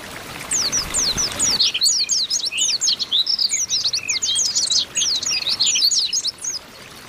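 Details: Oriental white-eyes calling together to spur birds into song; a continuous tangle of thin, high, downward-slurred chirps, many birds at once, after a quiet start.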